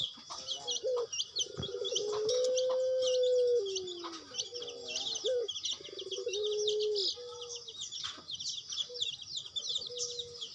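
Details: Puter dove called a time-keeper, giving long, low, smooth sustained coos, some held for over a second and slightly falling at the end, repeated several times, over constant high chirping of other birds or insects.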